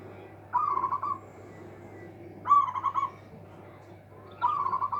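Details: A local zebra dove with a big voice meant to silence competitors repeats three rippling, trilled coos, each opening with a sharper note then breaking into quick pulses, spaced roughly two seconds apart over low background hum.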